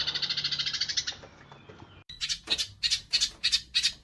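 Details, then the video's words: House sparrows fighting: a short burst of quick high chirps, a brief pause, then louder, harsher squawking chirps repeated every third of a second. "SUARA MASTERAN BURUNG GEREJA TARUNG"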